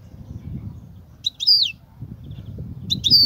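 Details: European goldfinch kobia song: two short bursts of bright, high sliding notes with a clear whistled slur, separated by low background noise.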